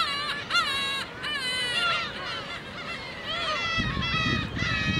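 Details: Crowd of Black-tailed gulls being fed by a man at Okuki in Hachinohe, Japan, 9 June 2013, sunny then foggy; repeated arching, cat-like mewing calls from several birds, with low rumbling noise later on.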